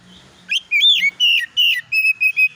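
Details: Oriental magpie-robin lure recording with fill-in phrases: loud slurred whistles followed by quick, evenly spaced whistled notes at a steady pitch.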